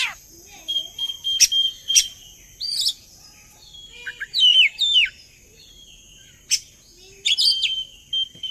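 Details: Oriental magpie-robin song used as a lure to get other birds singing along: bright whistled notes near steady pitch mixed with sharp clicks and short downslurred chirps in irregular bursts, with quiet gaps between phrases.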